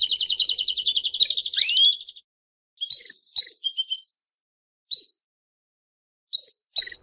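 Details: Kept canary, a male singing in the campainha style alongside a calling female: a fast buzzy trill with a swooping note, then scattered short high chirps separated by silences.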